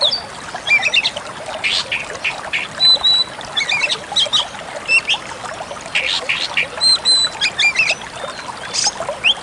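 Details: Pied Bushchat song recorded as a tutor track for songbirds, with fast, scratchy, chattering phrases and clipped high whistles repeated in quick succession.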